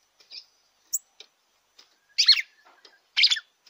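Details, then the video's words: Red-cowled cardinal song played to stimulate a captive bird: two loud, dense warbled phrases about a second apart, preceded by scattered short high chips and a thin whistled note. "ESQUENTE SEU GALO DE CAMPINA."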